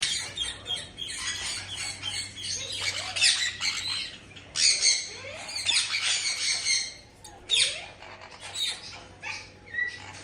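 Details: Blue male Indian ringneck parakeet, a pet, guarding his nest box: loud harsh grating squawks in rapid bursts, with short pauses between bouts and a faint low hum underneath.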